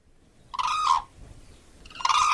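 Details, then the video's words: Crane trumpeting with two loud, rolling, horn-like notes about a second apart, each lasting roughly half a second, against quiet surroundings. "Голоса птиц как поёт Журавль (Grus)"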